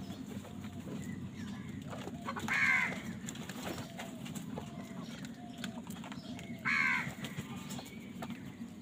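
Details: [['Two harsh, drawn-out caws from a crow competing for food, spaced about four seconds apart, over a continuous low rumbling background.']]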